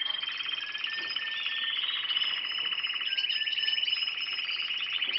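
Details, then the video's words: A canary sings new song: a continuous, high-pitched stream of rapid rolling trills broken by clear whistled notes, with no other sounds. "cantos nuevos de canarios"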